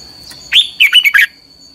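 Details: Red-whiskered bulbul singing in the 'căng lửa' style as a training lure: one short phrase, a loud slurred whistle followed by four rapid warbling notes, with a constant high-pitched tone behind.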